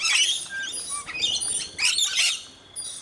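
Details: At a feeding in Mt Gravatt, Brisbane, Australia, rainbow lorikeets and one scaly-breasted lorikeet fill the air with continuous piercing, rasping screeches, fading briefly near the end before a final high note.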